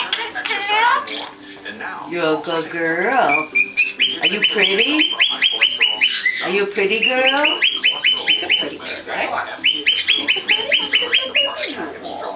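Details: A pet Derbyan parakeet talks to a shop customer in hoarse, speech-like phrases, then gives runs of quick, high, repeated chirps, several per second. A person's voice may be heard nearby.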